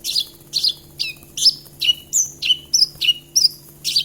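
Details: Javan bush lark singing varied slurred whistles and buzzy notes, alternating high and lower phrases in a quick, even rhythm.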